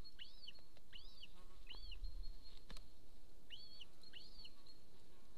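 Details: Golden eagle at a nest camera in Estonia near a military training ground, 26 April 2024, 13:50, gives thin, high, arched chirping notes, five in about five seconds, over a steady high whine and low rumbling background noise.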